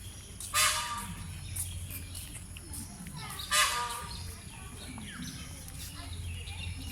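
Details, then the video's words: Peacock calling at the national zoo in Mirpur, Bangladesh: two loud, brassy, nasal cries about three seconds apart over steady crowd murmur and background chatter. "peacock making sweet sound at Mirpur zoo."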